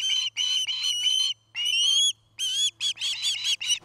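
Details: Loud, close osprey calls at a Charlo, Montana nest cam, 2018: long harsh whistled notes, then a tumbling series of shorter chirps. Gaps between notes are brief, and a faint hum runs underneath.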